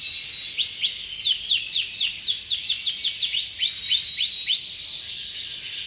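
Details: Canary song: a rapid series of high, downward-sweeping whistled notes rolling into trills, then a few clearer, evenly spaced chirps, over a faint constant high-pitched hiss.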